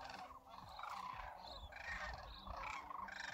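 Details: Large wintering flock of Sandhill Cranes at a lake beside a campground at Whitewater Draw, McNeal, Arizona, among more than 20,000 birds; many overlapping rolling, rattling calls blend into a dense continuous chorus.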